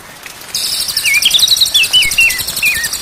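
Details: White-rumped shama song from a day-and-night training recording meant to make birds sing: a run of short, clear whistles, each sliding downward, repeated quickly over a steady, pulsing high-pitched insect-like buzz.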